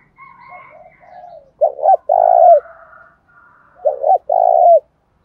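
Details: Spotted dove in thổ-pha-thúc-rút-đấu cooing style, prompting newly caught doves to join in; soft introductory notes, then two strong phrases of a clipped double coo and a sustained coo, with faint higher chirps behind.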